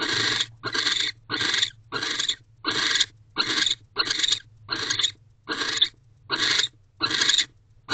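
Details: Hoarse hissing of a barn owl in a nest box at night in mid-December 2023, while the male stands guard at the door after mating; about a dozen short noisy bursts with brief silences, steady low hum behind.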